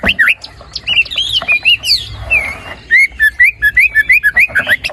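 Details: White-rumped shama in strong voice, a lure for a bird that will not sing: varied slurred whistles at first, then a steady series of short upswept whistled notes repeated at a brisk, even pace.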